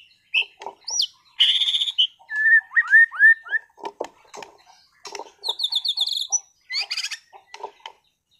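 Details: White-rumped shama, a caged competition bird from Sragen, sings loud upslurred whistles, a buzzy rattling trill, a series of short falling whistled notes, then more rattles, with knocking clicks in between.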